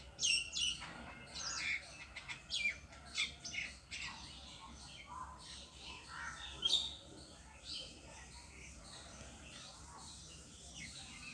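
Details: A bird sitting alone on a tree gives short, high, sharp chirps in scattered bursts, busiest in the first seven seconds, then quieter, over a faint low background hum.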